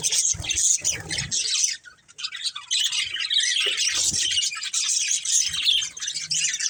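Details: Budgerigars of one family chattering, busy high warbles interrupted by harsher squawks, a short lull after two seconds, then the chorus resumes.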